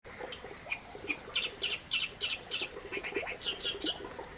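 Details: Reed warbler singing a fast, harsh, chattering song: grating repeated notes in rapid irregular bursts, some higher and squeakier, running almost continuously over a low background murmur.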